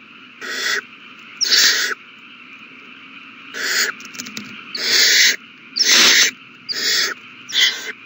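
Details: Several owl chicks begging while being fed a large meal, recorded 27 March 2020: separate loud, harsh, hissing screeches, each under half a second, repeated irregularly about once a second.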